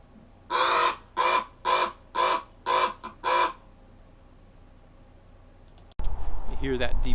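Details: Common Raven giving six harsh, rough croaks in quick succession, about two per second, deeper and rougher than a crow's, followed by a man beginning to speak.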